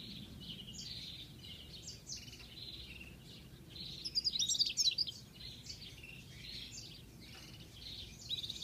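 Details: European goldfinch singing: rapid twittering and tinkling phrases, liquid trills and buzzy notes high-pitched, busiest and loudest around the middle, over faint steady background noise.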